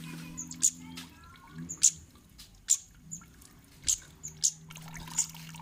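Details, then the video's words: Kemade calling to provoke other birds into answering: scattered very high, sharp ticks over a steady low electrical hum. "Burung Cit Kemade Manapun bakal NYAUT dan GACOR"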